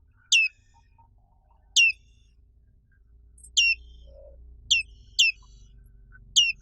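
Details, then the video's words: Black-capped white-eye, known locally as pleci black capped, giving six short, sharp chirps, each sliding steeply downward, spaced irregularly one to two seconds apart against a quiet background. "SUARA BURUNG PLECI BLACK CAPPED"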